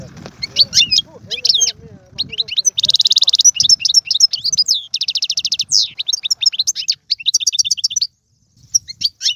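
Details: European goldfinch, an Algerian singer, performing song in the tiwawati, galoubi and serfati styles: rapid twittering phrases, a dense buzzy trill near three seconds, then another rattling burst, liquid chirps and short pauses to the end.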